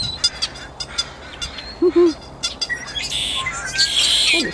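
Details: A flock of blackbirds at the dock at Piper Spit, Burnaby Lake, gives a busy group chorus of short, high chirps and harsh squeaky notes, likened to little car horns, with a few low honk-like sounds and faint background noise.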